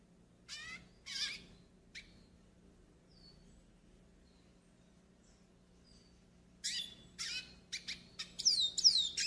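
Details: Yellow-faced siskin song for pairing and warming up: scattered high buzzy bursts and short chirps, a long quiet gap in the middle, then a denser run of rapid twittering notes toward the end.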